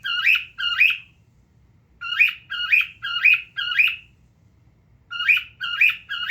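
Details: Repeated harsh cockatiel screeches from a male pet that sits looking at itself: two calls, a short gap, four calls, another gap, then three, each note rising and falling.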